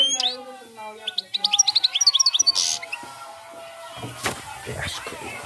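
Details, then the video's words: European goldfinch giving a short burst of 'cante campero' song, with quick repeated high chirps for about two and a half seconds, followed by a thud and background noise. "jilguero cante campero"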